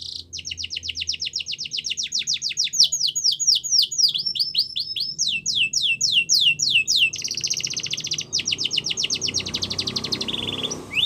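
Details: Yorkshire canary song for training: long continuous sequence of rapid trills and repeated downward sweeps, changing into a dense buzzy roll, with faint low background noise.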